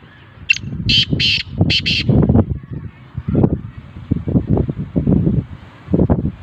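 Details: Calling black francolin offered for sale: four harsh, scratchy notes in a quick rhythmic series, with loud low rumbling noise continuing after the call.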